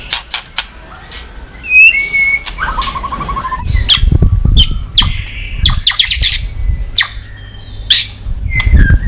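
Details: White-rumped shama clicking and beating its tail on the perch floor, used to stir shamas into singing fast: sharp scattered clicks, brief high whistles, a short rattling trill and low thumping throughout.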